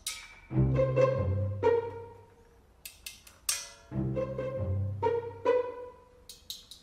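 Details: Bowed string music, cello-like, with low sustained notes, plucked high accents and swelling phrases; no animal voice is heard.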